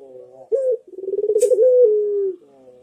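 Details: Single manggung coo from a Barbary dove (puter), used as a master for training birds: a short clipped note, then a pulsing roll that swells and ends in a smooth falling tone.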